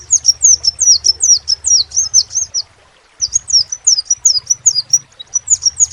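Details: A crimson sunbird sings quick series of piercing high notes, each sliding downward, pausing about a second mid-way before another run, low hum beneath.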